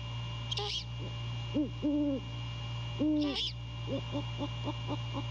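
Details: A great horned owl pair courting at their nest at night, the male calling: a rasping screech, a trio of deep hoots, another screech, then a fast patter of clipped hoots over low hum.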